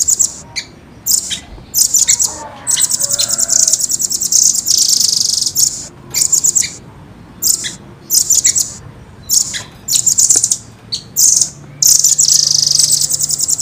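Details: Clear, fast song of the velvet-fronted nuthatch, known locally as rambatan: repeated high, dense chip trills in bursts of one to two seconds, some stretching into long buzzy rolls, with short silent gaps.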